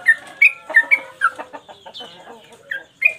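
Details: Yellow-vented bulbul in lively song for training cage birds: short whistled notes near two kilohertz at an irregular pace, mixed with softer chattering phrases and a rising whistle near the end.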